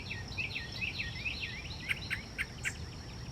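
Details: Yellow-breasted chat heard on a dark, cloudy Wednesday morning hike at Iroquois Park, 15 May 2024: a run of quick downslurred whistles, then a few sharper clipped notes, against low rumbling background noise.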